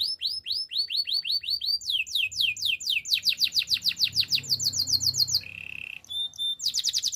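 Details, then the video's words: Canary singing a training song: rapid series of high downward-sweeping whistled notes, repeated quickly in changing phrases, then a short steady buzzy note and a brief bright trill to close. "Bird sounds canary chirping - The beautiful canary song"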